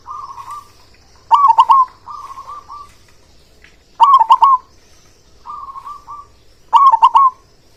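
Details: An actively singing local zebra dove alternates softer buzzy rolled trills with three loud, ringing bubbling phrases, spaced about two and a half seconds apart.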